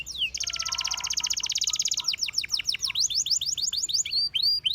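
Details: A canary sings a fast, rolling trill of rapid high notes, then breaks into a run of sweeping downslurred whistles and chirps.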